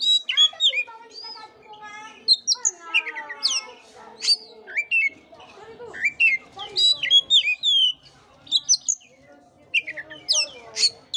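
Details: Long varied Oriental magpie-robin song, used to coax a listless bird into singing: steeply rising and falling whistles, harsh nasal notes and rapid chirp runs, delivered almost without pause.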